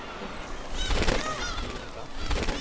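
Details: Black-tailed gulls at a breeding colony on Dokdo, Korea, in summer, give a brief burst of harsh, nasal, mewing calls as they begin attacking to defend incubated eggs and nest territory, with a man's narrating voice heard over them.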